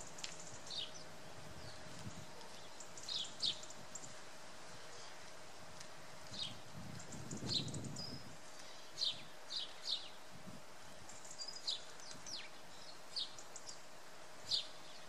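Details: Sparrows in a garden, including a female House Sparrow, give short, high chirps, scattered irregularly every second or two, over low rustling and outdoor rumble.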